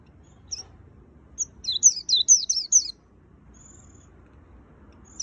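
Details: Pleci white-eye singing in full gacor style: a few isolated high chirps lead into a quick run of about seven sharp, descending twittered notes, then a thin drawn-out whistle and silence.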